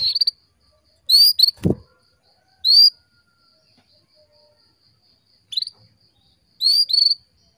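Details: Female canary calling to stimulate males into breeding condition, used as a lure for young or silent males. Short, bright upslurred chirps given singly or in quick pairs, spaced irregularly over several seconds, with one brief low thump.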